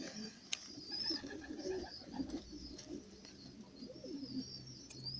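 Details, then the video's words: Pigeon recorded indoors at the moment of laying an egg; low soft cooing murmurs run through the clip beneath a steady high-pitched background hiss, with occasional faint clicks. "Güvercinin Yumurtlama Anı Kameraya Yakalandı"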